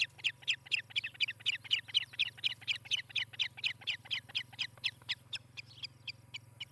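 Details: Osprey at its Charlo, Montana nest, 18 July 2018, via nest cam: a long string of high, sharp whistled notes about four per second, thinning and growing fainter in the last seconds, over a low hum.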